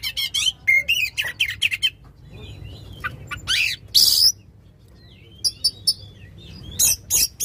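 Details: Oriental magpie-robin in loud, long-phrased song meant to stir a magpie-robin that has stopped singing; scattered bursts of shrill chirps and harsh notes separated by quieter gaps holding thin sliding whistles.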